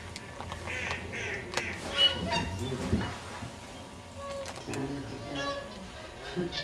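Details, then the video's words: Whooper swans at Kirkmahoe, Scotland, give loud, bugling honks in an irregular chorus, several birds calling over one another, over a low rumble and faint voices. "Whooper Swans"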